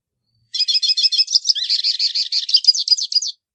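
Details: Continuous three-second song of the hooded siskin, or pintassilgo baianinho: high, fast, jumbled twittering with buzzy trilled notes and quick chirps, steady and lively throughout; no background sounds.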